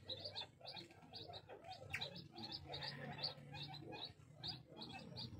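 Crested fireback chick giving high, thin peeps in quick succession, roughly two or three a second, over a low rumbling background hum.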